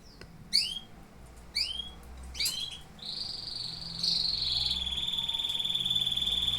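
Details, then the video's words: Singing canaries: a few quick high down-slurred chirps, then a sustained, even, high-pitched rolling trill that holds steady and rises slightly in loudness toward the end. "Singing canaries"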